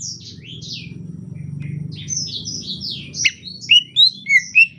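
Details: Greater green leafbird in the rainy season giving a subdued chatter song of varied slurred whistles, some falling and some rising, a sharp click, then four loud, clear whistled notes, over a steady low hum.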